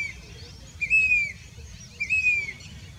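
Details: A grey-bellied cuckoo, a monsoon migrant, at Danta Ramgarh, Sikar, Rajasthan, India, in July 2021, gives two clear, plaintive whistles, each slightly rising then drawn out, about a second apart, over a low background rumble.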